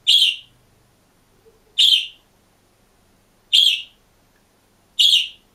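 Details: Caged green budgerigar, on its own, repeats a loud, squeaky chirp four times at irregular intervals of roughly one and a half to two seconds, each note short and bright, with silence between.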